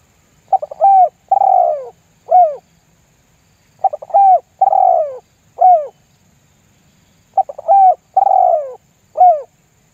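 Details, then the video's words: Lure calling by a spotted dove in lambung guk style, intended to make other doves join in: three phrases roughly every three and a half seconds, stammered notes, a broad descending coo and a clipped final coo. "SUARA PIKAT TERKUKUR LAMBUNG GUK MEMBUAT TEKUKUR LAIN IKUTAN GACOR"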